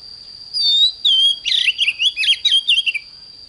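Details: Morning song of an oriental magpie-robin sung 'căng lửa': two smooth falling whistles followed by a dense, fast run of buzzy, twisting and slurred notes, with a thin steady tone persisting behind.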